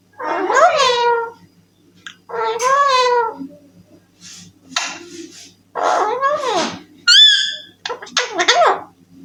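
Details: Young Alexandrine parakeet, a pet talking parrot kept indoors and said to say "I love you": drawn-out, wavering, nasal harmonic calls in four separate bursts, with a few sharp higher squeaks near the end and a faint low hum underneath.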